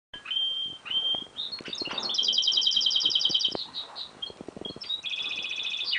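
A goldfinch-canary mule sings lively, high whistled notes that run into fast, rattling trills, with a second rapid trill toward the end.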